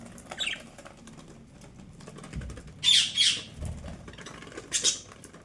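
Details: Budgerigars in the morning give a few harsh, scratchy chirps in quick bursts, with soft thumps of movement between.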